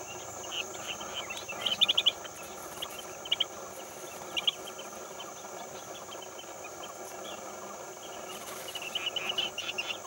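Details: Chestnut-headed bee-eater (Merops leschenaulti), call.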